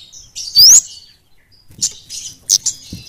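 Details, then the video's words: Kemade flowerpecker singing in a quick, tight ngeplong manner: one loud, thin rising whistle, then a pause, followed by a few short, high, sharp chirps. "Kemade gacor ngeplong speed rapat kemade gunung vs kampung"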